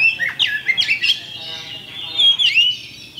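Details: Champion Oriental magpie-robin song used as a lure to provoke other birds into fighting: bright whistled notes and rapid chattering phrases, with slurred rising and falling whistles near the end.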